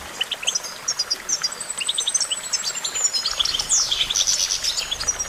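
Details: Goldfinch song of fast, high twittering notes, then a long sweeping slurred whistle and a rush of crowded chirps near the end.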